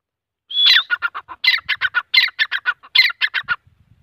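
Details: Grey francolin (teeter) calling: a high whistled opening note, then a rapid run of about fifteen clipped, repeated notes lasting three seconds. The background is quiet, with faint low thumps near the end.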